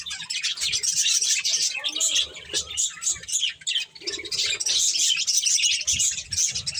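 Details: Corn-eating pet budgerigars chatter in busy high chirps and harsh warbles, with low thumping and clicking noises mixed underneath.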